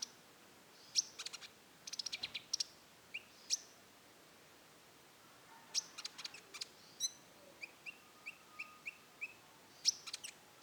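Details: Rufous-tailed shama singing roll tembak. Loud sharp clicks and short rattling bursts give way to a neat series of brief mid-pitched whistles repeated about twice a second, ending with another strong high click.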